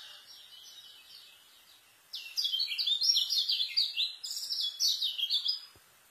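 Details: White-eye song for tutoring young birds: faint twittering at first, then a loud rapid jumble of high chattering, buzzy notes for about three and a half seconds before fading.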